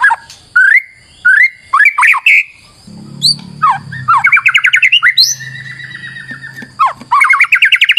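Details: White-rumped shama song as a lure: whistled upslurs repeated at intervals, then rapid trills and rattling runs of repeated notes, with a low hum in the background.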